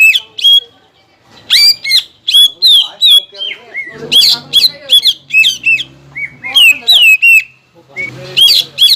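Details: Greater green leafbird lure song for contest birds, used to trigger the ngentrok fighting style: loud, varied whistles with sharp slurs and chattering bursts in irregular phrases, with low background hum between phrases.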